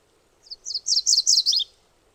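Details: A MacGillivray's warbler (Geothlypis tolmiei) sings one short, high phrase of quick slurred notes that grows louder through the middle and ends on a lower note. Little else is heard.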